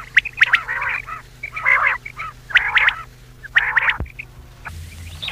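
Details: Night recording of common quail (batair) used for hunting: several longer nasal calls studded with sharp clicking notes, a brief thud near the end, then a shift to quieter hiss.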